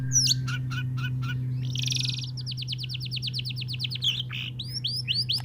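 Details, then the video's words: Male white-rumped shama singing to court a female: a few sharp chips, then a long fast buzzy trill of repeated notes, ending in varied whistled flourishes, over a steady low electrical hum. "Suara Murai Jantan Merayu Bikin Murai Betina Birahi"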